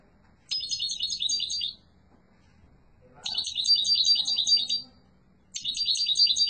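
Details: Yellow mutation European goldfinch in full strong song, delivering long, rapid, tinkling and buzzy trilled phrases over a second long, repeated after short silences; a faint low hum underneath.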